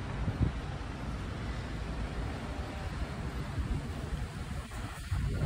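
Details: Low, steady rumble of vehicle traffic and wind dominates throughout, with no duck or other animal voices heard.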